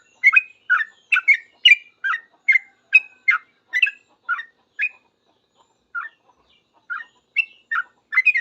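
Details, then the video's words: Yellow-vented bulbul answering other bulbuls with rapid 'ropel' singing: a quick run of liquid chirps, a quieter pause, then renewed scattered notes building again at the end. "Trucuk gacor paling cepat di respon trucuk lain langsung bunyi ribut ropel"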